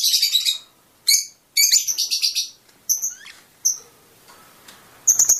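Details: Fischer's lovebirds giving mating-stimulation song: short bursts of shrill, buzzy chatter alternate with single sharp squeaks and brief silences, ending in another rapid squeaky burst.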